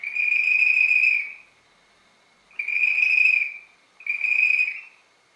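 Common redshank giving three long, clear, high whistled notes, each about a second, separated by brief pauses; no other sounds stand out.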